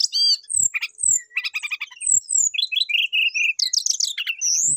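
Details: Brown-chested jungle flycatcher singing persistently while calling a rival, its song full of inserted phrases: rapid changing mix of high whistled slurs, buzzy trills and chattering bursts, with a few soft low thumps.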